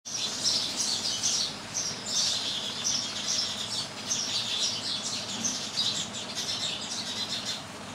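House sparrows chirp busily and continuously, with many high, sharp chirps overlapping as from a flock, over a faint low rumble.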